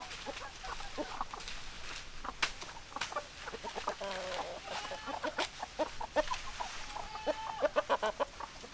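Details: Hens clucking: many short, overlapping clucks and a few drawn-out calls, a busy flock with steady background noise.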